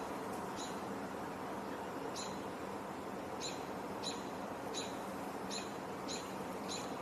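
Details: American robin on the Cornell campus on 12 June 2024, in the evening as it grows dark, gives short, sharp, high call notes every half second to second, possibly about a nearby juvenile, over a broad background rumble.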